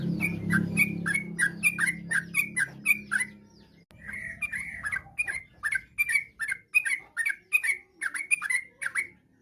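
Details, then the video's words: Yellow-vented bulbul singing a chatty, varied song meant to draw replies from other bulbuls: a steady run of short, liquid, downslurred notes roughly every half second over a low rumbling background that fades midway. "trucuk gacor, bikin trucuk lain nyaut seketika.! trucuk ropel, trucuk nggaruda, kicau trucuk fariasi"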